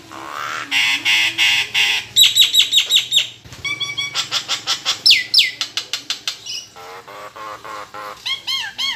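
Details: Nias hill myna kept as a songbird singing a full medley: harsh rasping calls, fast repeated high chirps, a long downward whistle, rapid clicking series and ringing looped whistles at the end.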